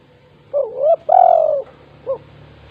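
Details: Spotted dove, a vigorous 'kuk 2' style caller used as a lure for reluctant doves: a short coo, a rising coo, a long drawn-out coo sliding slowly down, then a brief final coo, over a faint low hum.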